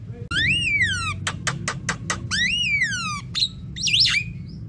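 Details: Javan myna lure sound, bahan and ombyokan type: two long whistles that rise then glide down, separated by a run of dry clicks, ending with a looping squeaky whistle, low hum beneath.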